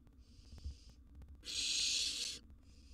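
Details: Wild barn owl nestling begging during a meal of a sizeable gerbil in its nest box: a soft hiss, then a louder, longer harsh screech near one second, then another faint hiss.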